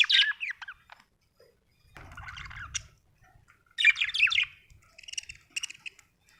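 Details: Budgerigar giving scratchy warbled chirps in three bursts separated by pauses, a brief low rumble between the first two, the last phrases buzzy and layered.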